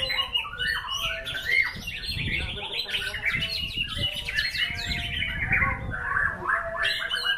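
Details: White-rumped shama (murai batu) singing a rapid, intricate medley of high chirps and slurred whistles in a luxurious rhythm, accompanied by continuous low rumbling background noise.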